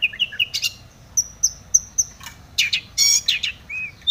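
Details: Long-tailed shrike song packed with fill-in phrases to provoke other shrikes: a few chirps, then thin high whistles, followed by loud harsh scratchy bursts and a closing clear whistled note.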